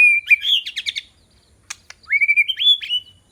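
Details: White-rumped shama decoy song for luring rival birds: a clear whistled note leading into a quick chattering run, a short pause with clicks, then a rising whistled phrase with rapid ornamented notes.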